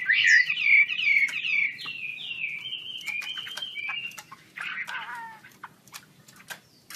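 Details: Chinese hwamei, said to be wambi kembang, with wings spread: bright slurred whistles open the passage, then a long falling whistled line and scattered notes, all over a steady low background hum.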